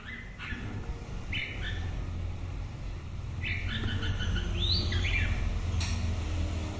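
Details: A white-rumped shama gives brief whistled phrases, one with a rising then falling sweep, separated by gaps, set against a loud constant low rumble.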